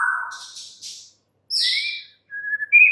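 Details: White-rumped shama, a caged bird, singing a short mix of a low warble, buzzy rasps and clear whistled notes with brief silent gaps.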